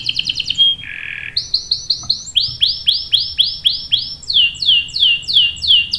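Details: Canary song for luring other canaries into singing: a fast trill, a low buzzy burst, then clear looping chirps repeated about twice a second, rising into broader downward-sweeping notes.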